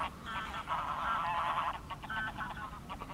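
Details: Greylag geese, recorded 10 March 2021 alongside mallards and a mute swan, give nasal, harmonic honks in a long run and then shorter broken bursts, with low rumbling background noise throughout.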